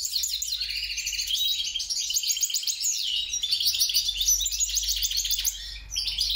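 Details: Hybrid of European goldfinch and grey-crowned goldfinch, a mule, singing a fast, dense twittering song of high buzzy trills and chirps with sweeping whistled notes, continuous throughout.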